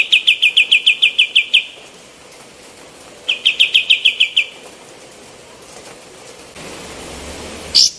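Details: Female olive-winged bulbul, a recording meant to train other songbirds: rapid, evenly repeated chip notes in a bright trill of about a dozen, a pause, a shorter trill of similar notes, then a sharp high note at the end.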